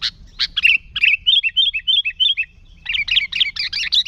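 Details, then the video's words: Sooty-headed bulbul singing energetically, used to lure bulbuls and set rivals singing: opening sharp chirps, then a run of five bright, bubbling whistled phrases, ending in fast, dense chattering notes. "Suara Burung Kutilang Gacor ASLI Tanpa isian"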